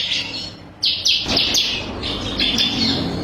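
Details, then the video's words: A bar-winged prinia of the ciblek kristal kind, singing as training material for songbirds: a short, high, buzzy trill, then rapid sharp chatter in several bursts. "Cocok buat masteran"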